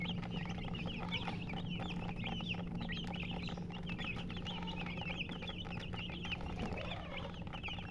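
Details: Busy chirping from a group of chickens: rapid, high, slightly rising peeps overlapping continuously for several seconds, with a faint low hum and rumbling noise behind.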